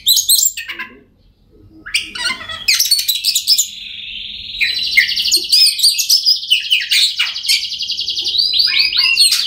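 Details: Song of an Oriental magpie-robin, used to get silent birds singing: scattered sharp chirps, a short pause, then a long fast-trilling warble with interwoven whistled flourishes, ending in quick high notes.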